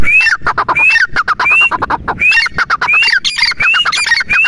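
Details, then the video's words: Grey francolin, described as teetar or titir, calling: a loud, rhythmic series of harsh phrases, each ending in a rising whistled note, repeated a little more than once a second against scratchy, crackling background noise. "tetar awaz"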